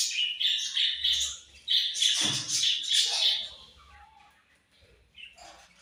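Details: Budgerigar chatter with a steady high warbling chirp stream, a sharp scratchy squawk partway through, then fading to scattered quiet chirps.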